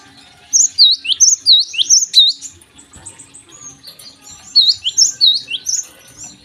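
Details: Morning singing by a Java sparrow: two bursts of high, looping, chiming notes, each about a second and a half long, with softer twittering in between.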